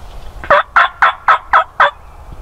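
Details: Male Wild Turkey gobbling in a spring snowstorm during a hunt: six loud, quick rattling pulses over about a second and a half, each note gurgling and throaty.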